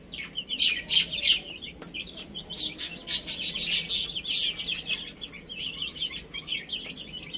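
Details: Baby chicks at play and feeding, calling in rapid, uneven runs of short high falling peeps, over frequent crisp tapping and scratching sounds.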